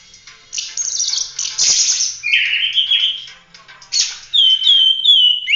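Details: Oriental magpie-robin in full, busy song meant for training other birds: varied high chirps, buzzy rasping notes and clear whistled slurs, loud and dense with brief pauses.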